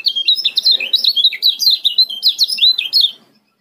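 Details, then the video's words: Lombok male yellow-vented bulbul calling in speedy, close-set ciak notes meant as a lure: about three seconds of steady, rapid, up-and-down chirping that stops abruptly. "LOMBOK KECIAL KUNING CIAK SPEED RAPAT"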